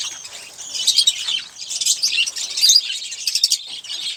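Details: A single Olive-throated parakeet feeding on sunflower seeds and sipping water, chattering almost continuously in high, thin chirps and squeaky notes that swell and fade in uneven bursts.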